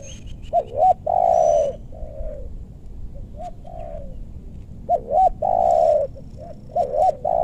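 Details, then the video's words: Spotted dove used to lure wild doves while trapping in meranti-wood forest in western Bogor, Indonesia: deep, mellow cooing phrases, short hooked notes followed by long drawn coos, repeated in groups, with faint thin whistles above. "Pikat tekukur ajaran si bucil paksa turun bl suara besar"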